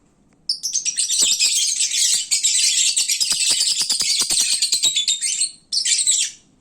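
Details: Lovebirds in the sleepy midday period after eating: a continuous shrill chorus of squeaky chirps lasting about five seconds, then a short final burst.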